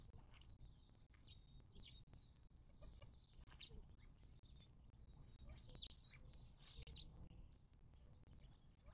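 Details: Several desert birds chatter at a watering hole in the western Mojave Desert, southern California, near Joshua Tree, on 19 March 2024. Quick high twittering chirps come in irregular bunches throughout, over a steady low rumble.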